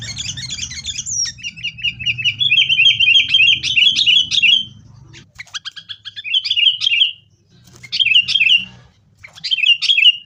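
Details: Sooty-headed bulbul in energetic fighting song meant to lure caged bulbuls into singing: long stretches of fast, rattling chirps with downward-sweeping notes, then shorter bursts after brief gaps, with a low rumbling background noise.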